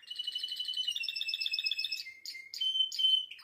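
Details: Singing canary giving a fast steady warbled roll, then a few clear high whistled notes and chips.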